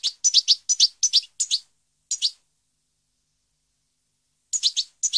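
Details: European goldfinch, 2015: clusters of short, sharp chirps in quick double and triple groups, with long silent gaps between bursts.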